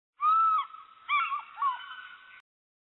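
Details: African fish eagle calling: a clear, ringing, slightly falling yelp, then a run of shorter wavering yelping notes, about two seconds in all, with no other sounds.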